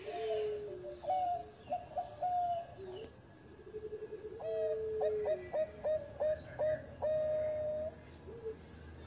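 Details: Bangkok-type zebra dove song for training other doves, set against steady background hiss: scattered short coos, then a series of clipped, evenly repeated coo notes about every half second, with faint higher chirps from other birds.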